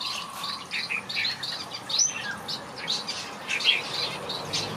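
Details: Several finches in a backyard aviary chirping together: quick, high, bright tweets and short twittering notes overlapping in a busy, irregular stream, with a faint low hum at the start.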